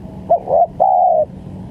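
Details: Lure call of a spotted dove (tekukur) for trapping: a clipped opening note, a brief coo, and a sustained flat coo of about half a second, backed by faint constant hum.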